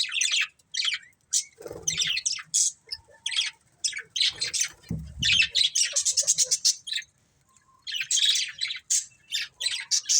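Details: Budgerigars kept as pets chirping in bursts of rough, buzzy high chatter and squawks, broken by short pauses, with soft low thumps in between.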